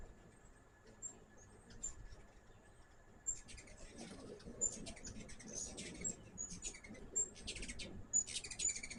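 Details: At a backyard feeder, hummingbirds start with a few isolated high squeaks, then break into dense, fast twittering chatter of sharp chips for the last several seconds.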